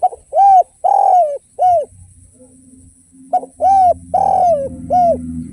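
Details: Spotted dove singing derkuku phrases in the tanpa kuk or kuk 1 style: two bursts of four arched, mellow coos each, separated by a pause, with a low hum and faint knocking underneath.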